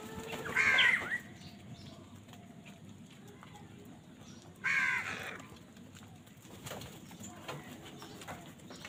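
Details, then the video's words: [['Crow calling during a fight for food: two strong, raspy caws about four seconds apart, then quieter scattered noises over a low hum.']] "কাকের ডাক Crow Sound Crow ki Awaz Loudly | Crow bird Fight for Food"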